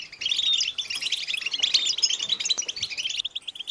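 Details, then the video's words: European goldfinches singing as a group to motivate males to sing; a busy stream of high, tinkling twitters and short trills from several birds, fading in at the start and thinning toward the end. "Beautiful Goldfinches Chattering & Singing Sound in Nature"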